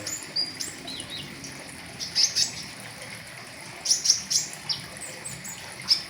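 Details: Flowerpecker, called pentis raja, singing riwikan full of fill-ins as a tutor recording for caged birds; high sharp chip notes in small clusters of two or three, separated by short pauses, over steady hiss.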